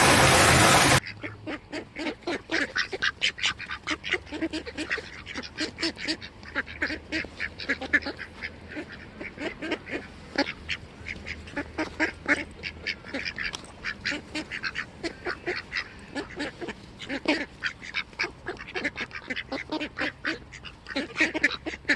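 Swans honk in a busy, overlapping stream of nasal, trumpeting calls.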